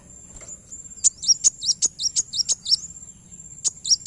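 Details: High, sharp chirps from a kowul, a call played to lure other birds, come in a fast run of about ten notes, some with small falling hooks. A short pause follows, then two more, with a continuous shrill whine behind.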